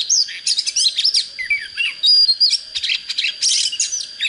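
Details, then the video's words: Young white-rumped shama in early song, said to have a proper standard voice: rich, varied whistles and rapid slurred notes in dense, overlapping phrases, with a steady high background tone. "Chích chòe than mộc CHỚM LỬA || có chất GIỌNG CHUẨN"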